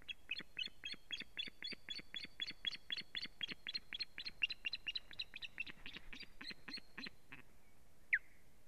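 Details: Osprey female at the nest under attack from foreign ospreys, live nest camera, 1 May 2017; a fast chattering series of about four high notes per second for seven seconds, ending in a single loud falling whistle.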